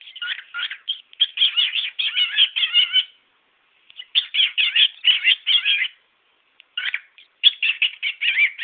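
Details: Male pet cockatiel showing off a bit of his repertoire: rapid bursts of buzzy, warbling chirps in runs of two to three seconds, broken by short pauses.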